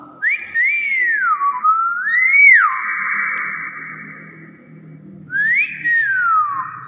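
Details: Common hill myna (Gracula religiosa intermedia) from Thailand, kept by people and greeting visitors, gives clear loud human-like whistles: long sliding tones that rise then fall, a sustained steady note, then another rising-falling whistle.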